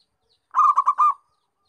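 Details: Zebra dove calling: one short phrase of four rapid, mellow, rolling coo notes run together over under a second, clear and close against a silent background.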